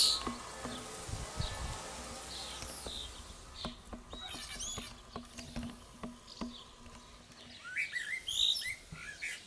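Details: Common starlings (Sturnus vulgaris) at a nest box on a tree sing in a jumble of high whistles, sharp clicks and scratchy notes, over a steady low hum with faint buzzing throughout.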